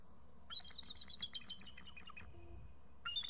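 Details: Eagle pair calling excitedly at the nest before both fly to a nearby tree while a young eagle perches close by; a fast run of high, thin, piping chirps, then a short second burst after a pause, over faint low rumble.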